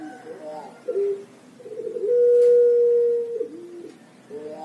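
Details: Young Pelung turtle dove of Java sings rolling cooing notes that run into a loud, long steady hoot held over a second, then trail off in lower notes before new coos start.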